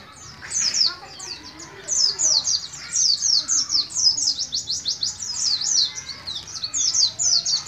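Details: Young captive Oriental white-eye of Moga, Pemalang, Central Java, early in learning the ngalas ngeroll style, pours out a continuous fast stream of very high, thin, descending chips in pulsing rolled phrases over a low background hum.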